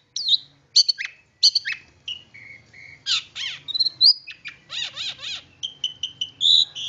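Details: Long-tailed shrike song serving as a lure for other shrikes: scratchy chips, steady level whistles, buzzy rasping bursts and a run of short repeated whistled notes, varied and continuous.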